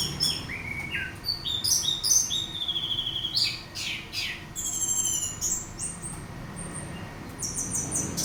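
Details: Orange-headed thrush singing as a lure to draw song from another bird: varied phrases of falling whistles, buzzy trills and sharp high bursts, each phrase different, separated by brief pauses.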